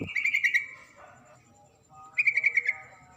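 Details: Female yellow-vented bulbul (trucuk) calling to a male: two short bursts of rapid, bubbly repeated notes, each burst about half a second, separated by a quiet gap with faint background tones.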